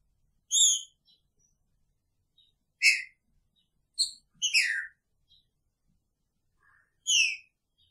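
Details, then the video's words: Picharro song from a green-winged saltator caged together with its female: spaced ringing whistles, one longer downslurred phrase midway, and a final bright note, with faint soft clicks between. "Trinca Ferro com sua fêmea!! Picharro"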